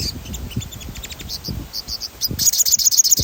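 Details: Sogon, a stimulation recording: scattered thin high chirps, then from about two seconds a bright, fast rolling trill repeated steadily.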